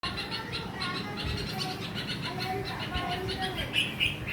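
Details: Red-vented bulbul scolding a lizard to protect its young, in harsh, rapid chips, several per second, over a low background murmur that may include voices.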